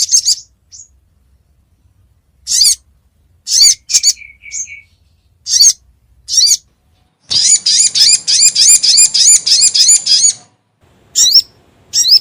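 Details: Crimson sunbird lure call used to attract birds for trapping: sharp, high, squeaky chirps given singly or in short bursts, then a fast run of about a dozen rapid, buzzy repeated notes lasting around three seconds.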